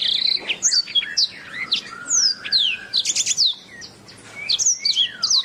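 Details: Master song of a canary, kept for teaching other birds. A steady stream of bright, high chirps, downward-swept whistles and short buzzy trills fills the clip, with a short lull near the end.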